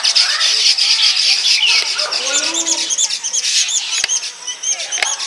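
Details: Baya weavers at palm-tree nests in rural Bangladesh, where males build woven nests to attract females; several birds chatter and twitter in high, dense, overlapping chirps, with a few sharp clicks near the end.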